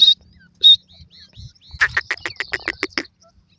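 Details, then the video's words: Francolin (teetar) call: two short clear high whistled notes, then a fast rhythmic series of about eight sharp pulsed notes over roughly one second, in a quiet setting. "pheasant birds call pakiag,teetar awaz,partridge sound"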